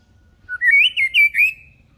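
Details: A non-aggressive white-rumped shama sings so young birds learn to sing like adults: one brief low note leads into a rising, rolling whistled phrase of linked warbled notes that trails off.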